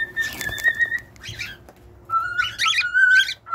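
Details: Cockatiel song mixing long steady whistles with bursts of harsh, buzzy chatter layered over them, two phrases separated by a short pause.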